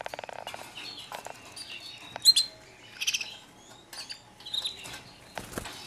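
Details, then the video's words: White foreign canary chicks, newly arrived, making a rapid ticking patter at first, then sharp high chirps and brief squeaky notes in separate bursts with short pauses between them. "چوچه های کنری خارجی سفیدتازه رسیده"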